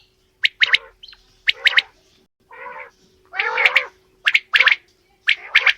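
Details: Mix of female and male quail calling, doubled sharp notes alternating with longer harsh grating calls, roughly one call per second, faint hum in the background.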